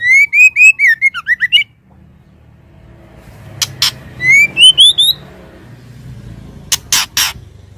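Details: Female white-rumped shama calling the male: a run of quick looping whistles, a pause with soft background hum, then a rising series of whistled notes, with sharp clicking bursts between and after.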